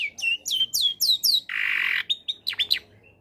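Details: Long-tailed shrike in lively combination song, used as a lure to make quiet shrikes sing: a run of high descending whistled slurs, then a harsh buzzy burst and a few sharp rising and falling notes.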